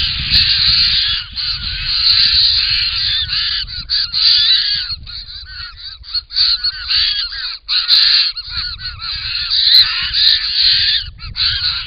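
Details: A large group of wild White-winged Choughs arriving loudly at a pond in Australia, tails flapping, filmed by camera trap; dense overlapping rasping calls with many short broken notes and small gaps throughout.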